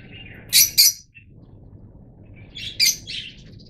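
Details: Yellow-mutation Fischer's lovebirds give harsh, high shrieking chirps in two short bursts, a pair near the start and a longer rasping cluster about two seconds later.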